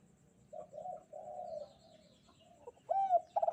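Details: Spotted dove on a bright morning giving low mellow coos, a few drawn-out notes followed by a sharper arched coo near the end, quiet background between phrases.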